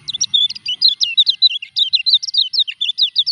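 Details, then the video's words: A kecial kuning in moult sings a dense burst of quick, high-pitched chirps and trills, with notes tumbling rapidly one after another throughout. "KECIAL KUNING NGURAK TETAP EKSIS"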